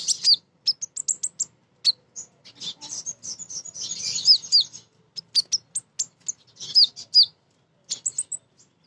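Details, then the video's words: Female crimson sunbird calling for males, used to trigger song in other birds: quick series of high piercing chips, a busier twittering passage, and several hooked downslurred whistles. "Konin Betina Gacor‼️ Nyrecet Nembak Cocok Untuk Pancingan Burung Bahan"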